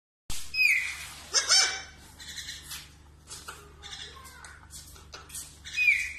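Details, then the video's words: Parrot mimicking speech, repeating the words "me too" amid shrill squawks and rasping chatter. "parrot voice song"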